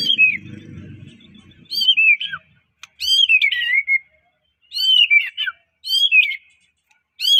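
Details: Medan white-rumped shama singing to provoke other shamas: repeated ringing whistled slurs every second or so, with a low murmur of background noise at the start.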